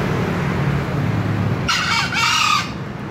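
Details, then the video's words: One loud, clipped double crow from a green junglefowl, harsh and under a second, following steady low humming. "ayam hutan hijau berkokok"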